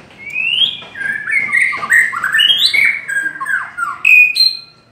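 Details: White-rumped shama giving a long song: loud, rich whistled phrases that rise and fall in quick succession, with sliding notes and a bright, ringing final phrase.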